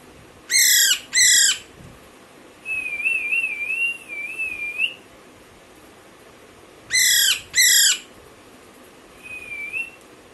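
A young Alexandrine parakeet gives harsh, grating squawks in quick pairs, twice, between long wavering whistles.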